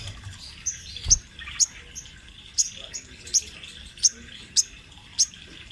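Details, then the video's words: Sunbird recorded as a rolling-song master for training birds; a single sharp, very high chip note repeats roughly every half second against a faint background hiss. "Suara Burung Sogon Trotol Gacor Ngerol Buat Masteran sogon bahan"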